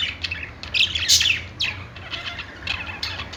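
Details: Pet-store budgerigars singing on a perch: busy overlapping chirps and short warbled notes, loudest at about one second, over a constant low indoor hum.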